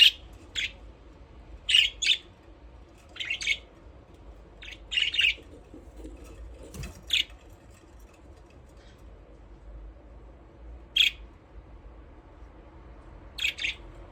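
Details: Aviary budgerigars at play: sparse, brief raspy chirps and doubled chatter notes spaced several seconds apart, some gaps long and quiet, over a faint low room hum.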